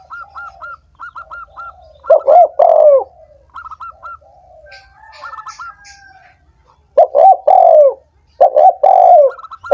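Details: Spotted dove sound for stimulating lazy, silent doves to sing: a run of short, rapid higher-pitched notes in quick groups, then louder, deeper bending coos in three bursts, the last two close together.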